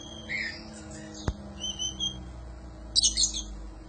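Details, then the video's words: Oriental magpie-robin singing on a training recording for songbirds: a few short clear whistles and slurred notes, one sharp click, then a brief harsh buzzy burst near the end over a low background hum. "Suara panjingan masteran burung kacer gacor"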